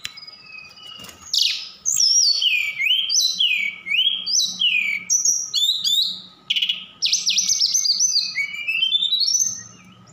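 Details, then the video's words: Javan bush lark from Sukabumi in continuous lively song, full of mimicry of cililin and sikatan londo; looping, swooping whistles repeated in quick succession, buzzy trills and a closing upward-climbing run of notes over a low hum. "Tledekan Gunung Gacor Sukabumi"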